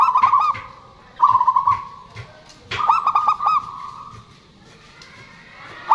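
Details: Local zebra doves, males and females answering each other, used as a lure for doves that have stopped singing; soft, trilled cooing phrases repeated three times, each a fast stuttering run of notes, with faint background noise between.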